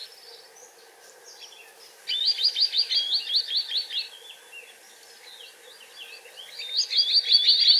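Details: Green sandpiper in Portugal, feeding on small invertebrates, gives two bursts of rapid, high whistled notes, about eight quick clear notes per burst, with faint chirps from other birds behind.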